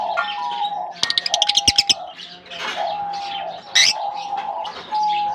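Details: Caged lovebirds being released into a colony aviary in summer: several birds chirping and squawking over one another, with sharp rapid rattling clicks partway through.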